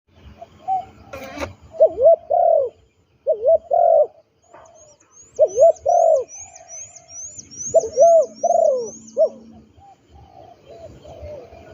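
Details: Trained captive spotted dove kept as a ground decoy, giving soft low coos in short grouped phrases every second or two, with a quick repeated high ticking series overhead midway and a brief clattering burst near the start.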